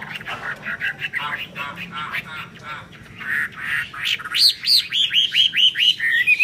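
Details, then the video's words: Chinese hwamei song with wing display: rapid, fainter chattering notes at first, then clear ringing whistles repeated about four times a second toward the end, with some low background noise. "chim họa mi hót xòe, chơi cánh đại bàng"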